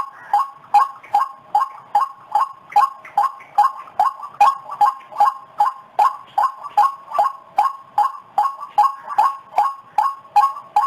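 A white-breasted waterhen gives a steady run of harsh, croaking notes, about two or three a second, holding one mid pitch throughout with no other sounds.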